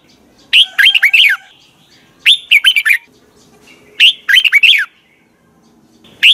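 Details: Morning song of a red-whiskered bulbul in the 'giọng kép xoắn' style, used for training birds: short bursts of four or five bright, slurred notes repeat roughly every one and a half to two seconds.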